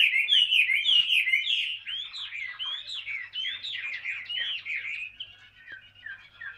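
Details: Steady ngũ trường song from a Chinese hwamei, long wild-caught and kept two years in a cage: a chain of clear, rolling whistled notes repeated rhythmically, each swooping down then up, gradually fading near the end.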